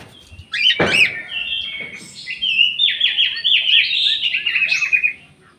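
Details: Orange-headed thrush singing in an aviary, with another bird species also kept there: a varied run of clear whistled phrases, opening with a sharp note, then rapid warbled notes building into a fast, repeated trilling sequence.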